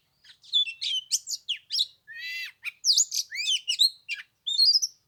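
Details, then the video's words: Oriental magpie-robin in cold Tet weather near 15 degrees, mixing harsh buzzy notes with sweet whistled slurs and rising glides in a dense, varied phrase. "Chòe than mùng 3 tết cái lạnh 15 độ chơi 1 tiếng chim k xuống đánh"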